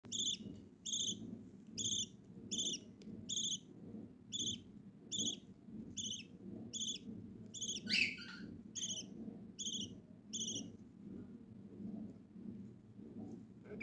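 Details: Budgerigar (Melopsittacus undulatus), chick call.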